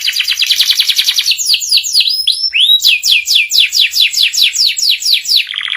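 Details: Master song of a canary for young canaries to learn ngeriwik: steady strings of quick downslurred chirps, about two per second, with a brief rising whistle in the middle, loud and clean.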